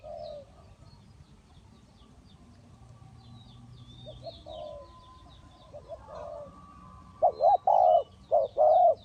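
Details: Distant, muffled dove coos and a steady low hum fill most of the recording. Near the end, a close spotted dove decoy at a trap breaks in with loud, wavering coos, while faint high chirps of small birds are heard throughout.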